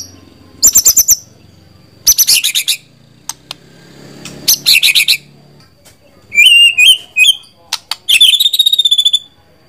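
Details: White-rumped shama song in short bursts of dry rattling notes separated by pauses, later shifting to sweet whistled phrases and a fast trill, over a faint low hum.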